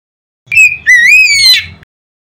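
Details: Loud Oriental magpie-robin song aimed at making other magpie-robins sing: a single clear whistled phrase, short opening note then a long swooping whistle that rises and ends in a rough flourish.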